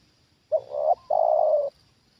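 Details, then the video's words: Single loud phrase from a trained Spotted dove reacting to a lured wild bird on its second descent: a sharp opening note sliding into a rough coo, a brief pause, then a sustained grating coo. "Inilah Reaksi Tekukur Ajaran Di Turunin Burung Liar Untuk Kedua Kalinya"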